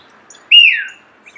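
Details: Single loud starling whistle heard close: a bright note that jumps up, holds briefly, then slides smoothly downward, followed by a faint short chirp.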